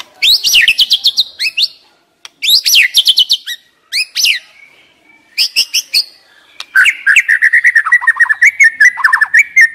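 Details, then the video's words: White-rumped shama kept as a decoy bird, singing: loud, varied phrases of rapid whistled notes and sweeping trills separated by brief pauses, ending in a long run of repeated slurred, descending whistles. "Chòe lửa mồi hót cực hay"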